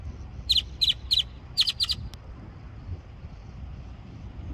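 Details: Grackle singing, described as singing painfully; a series of five short, sharp, squeaky notes in quick succession over about two seconds, then a single click, over low background rumble.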